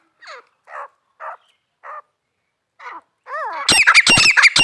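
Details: Female grey francolin calling: short harsh notes repeated at intervals, then rising chirps and a loud burst of rapid, harsh squawking notes at the end.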